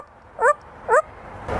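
A grey parrot gives two short, rising, yelping barks half a second apart, copying a dog, followed by a soft rustle.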